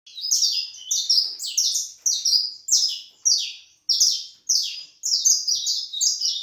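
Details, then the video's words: Saffron finch, called canário da terra in Brazil, singing a steady series of high, buzzy, slightly falling notes in short phrases about every half second, with brief pauses and a quiet background. "cantos canário da terra"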